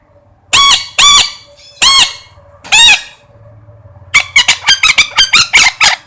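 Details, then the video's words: Loud parrot squawks, four harsh arched cries spaced about a second apart, followed by a burst of rapid, shorter scratchy squawks. "suab noog yeeb kub quaj zoo heev tiếng vẹt keu"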